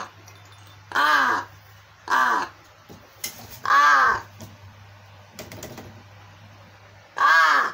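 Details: Begging calls from a crow faking hunger while ignoring a baby's rattle toy; four hoarse, drawn-out caws at irregular intervals, interspersed with soft clicking and rattling noises over a low background hum.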